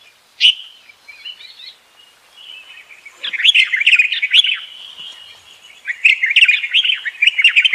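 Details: A bulbul seeking a mate, 28 May 2021: one loud chirp, then soft twitters, then fast, rich, bubbling chatter of tumbling high notes in two long bursts.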